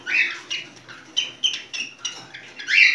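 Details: Mating song of a cockatiel, with short high chirps and whistled notes about every half second, opening and closing with louder rising whistles.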